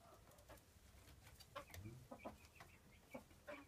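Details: A pair of 5.5-month-old frizzle Pekin bantam chickens in red-blue porcelain colour give soft, short clucks in loose bursts every half second or so, over a low steady rumble.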